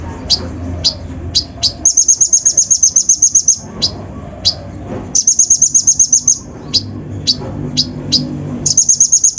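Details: Provoking lure song of a kolibri ninja sunbird in full rough mimicry: high chirps repeated about twice a second, broken by three bursts of rapid tinkling trills, each roughly a second long.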